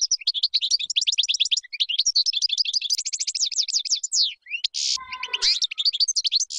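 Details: European goldfinch song, described as flawless, used to teach chicks: a dense, continuous run of fast tinkling, twittering notes and trills with brief buzzy slurs, broken near the fifth second by a short harsh noise burst.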